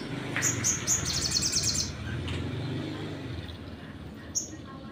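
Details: Sunbird singing a provoking lure song: a run of high chips and a fast glittering trill over about a second and a half, then a lone sharp chirp, all over heavy low rumbling noise.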